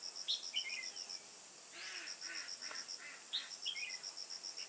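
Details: Red-whiskered bulbul used as a decoy bird during trapping at Kim Bôi, Hòa Bình, Vietnam, on 21 May 2018. It gives short bright chirps and quick descending slurred notes in bursts. A steady pulsing insect trill and a high constant hiss run throughout.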